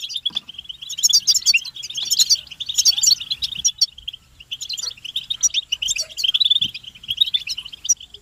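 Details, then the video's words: European goldfinches in collective twittering, presented as male-stimulating mating calls; rhythmic bursts of bright, buzzy chirps alternate with slightly quieter stretches of steady high chatter throughout. "بتبتة حسون الشوك تحفيز الحسون على التغريد والهيجان علاج صمت الحسون goldfinch stimulation"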